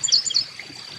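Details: Carolina Chickadee (Poecile carolinensis) at a backyard bird-feeding station, song: a quick cluster of high, thin chips in under half a second, then fading, over a soft trickling background.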